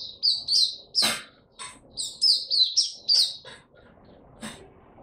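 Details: Singapore white-eye (mata puteh) that has finally started singing again, recorded 31 July 2023: a rapid, high twittering song of thin warbled notes in quick bursts about three per second, with a broad clicking sound partway through.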